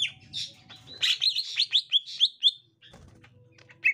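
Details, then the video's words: Brief burst from a gotri green leafbird as a young wild green leafbird is found: fast string of bright, sliding chirps repeated about five times a second, then a pause and a final note. "Tingkah Cucak Ijo Gotri Saat Di Temukan Cucak Ijo Muda Hutan"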